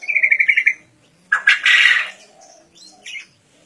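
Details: Green junglefowl from Kediri, East Java, wild-caught and aged one and a half years. A quick run of pulsed notes gives way to a loud, raspy crow lasting under a second, then softer trailing calls.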